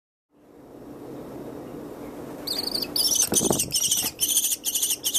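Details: Orphaned fluffy baby American kestrel at a wildlife hospital, with an adult male foster kestrel kept as an educational bird. After a quiet start, a run of rapid high, harsh repeated notes begins about halfway, with a rustle near the three-second mark.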